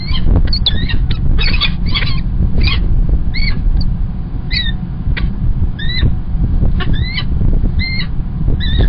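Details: Male Peregrine falcon with early breakfast, Kingston College, UK, 1 March 2021: dense bursts of squealing calls at first, then single rising notes every half second or so, over continuous low noise.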